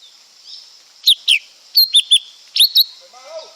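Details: Lesser green leafbird sings high, falling whistled notes in pairs and triplets; a lower, softer wavering call enters near the end over light background hiss.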